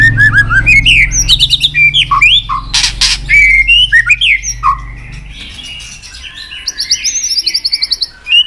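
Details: Excited white-rumped shama flicking its tail on a perch, giving a fighting-style song: varied clear whistled phrases, sharp clicking bursts, and later fast high trilled notes repeated in quick series.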